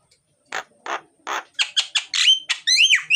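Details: Myna (jalak) singing loudly, used to lure lazy mynas into song: three spaced harsh rasps, then quicker bright notes and a run of slurred, whistled upward and downward sweeps.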